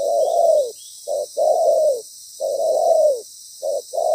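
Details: Loud-voiced spotted dove decoy calling in ground-bait trapping; long drawn, gently falling coos alternating with brief clipped notes, background of even high hiss.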